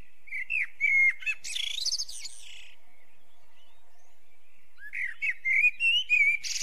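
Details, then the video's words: Eurasian blackbird song: a mellow whistled opening, a strained high twitter, about two seconds of quiet, then another fluty warbling phrase ending in a shrill flourish. "Merlo canto richiamo"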